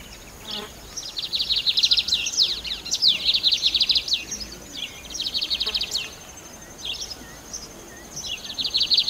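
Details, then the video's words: Lined seedeater singing: rapid, buzzy, high-pitched trills in bursts of about a second, mixed with sharp downslurred chip notes, pausing briefly between phrases, over a faint hiss. "CANTO DO BIGODINHO"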